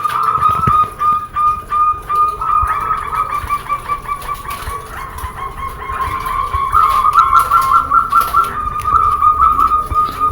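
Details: Zebra dove song for stimulating other doves to sing: a long series of rapid, rattling trills at a steady mid pitch, pulsing in short waves and swelling louder in the second half, with faint low background noise.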